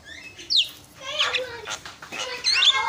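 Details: Javan myna song used to provoke rival mynas into answering: harsh, scratchy notes and squeaky whistled slurs in loose bursts, high-pitched and uneven, with brief pauses between phrases.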